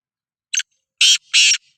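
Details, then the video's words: A Sindhi black francolin (kala teetar) calls: a short harsh note, a pause, then two longer, loud, grating notes in quick succession, with near silence around them. "Kala Teetar Voice | Black Frankoline Voice | Sindhi Kala Teetar Voice کالا تیتر کی بولائی"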